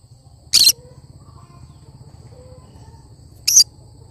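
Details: Cinnamon green-cheeked conure giving two short, harsh, screechy calls about three seconds apart, each a brief loud burst, over a low background hum.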